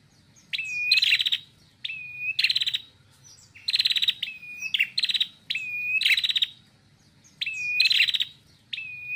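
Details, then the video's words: A female red-headed prinia singing loudly, repeating a phrase about every one and a half seconds: a clear, level whistle followed by a harsh, buzzy rattle. "PRENJAK KEPALA MERAH BETINA SUPER NGEPLONG,LANTANG GACORNYA"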